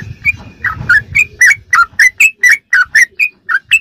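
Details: Sooty-headed bulbul giving rapid ropelan song as training material for caged birds: about fourteen short, rising whistled notes delivered roughly four per second, with muffled low background noise at the start.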